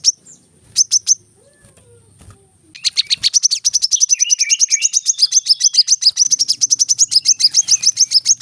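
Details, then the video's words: Brown-throated sunbird song used as training audio for cage birds: a few scattered chirps, then a dense rapid run of sharp high notes with a lower twittering phrase woven in, faint low hum underneath. "kolibri kelapa | manggar | wiceh | masteran temabakan rapat"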